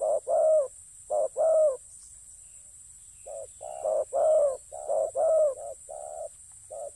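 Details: Deep repeated cooing by a spotted dove kept for ground decoy hunting: loud two-note coos in bursts, a short pause, then a busier run of soft and strong coos, with a constant high hiss.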